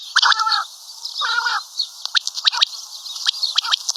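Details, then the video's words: Common quail call: two drawn-out, buzzy harmonic notes about a second apart, followed by a burst of rapid dry clicks against constant hiss. "Common Quail Calling|Batair Ki mote Awazay| Karkari Batair Ki Awaz|Maadi Batair Ki Awaz|Quail sounds"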